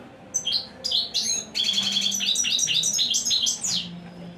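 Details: European goldfinch singing a rich, fast, twittering song of tinkling, buzzy notes: a few separate chirps, then a rapid run of bright trills and clipped phrases, over a faint low hum.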